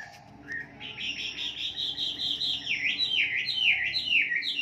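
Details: Little pied flycatcher (Ficedula westermanni) singing in the morning, used as a lure song for captive birds: a rapid, high twittering of thin notes swooping down and up, delivered continuously over a faint low hum.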